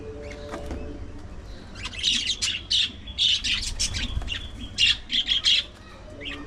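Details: Budgerigars at their afternoon feeding time: loud harsh high squawks in clustered bursts, a fast run of about a dozen over three seconds, then quieter, with a faint low hum behind.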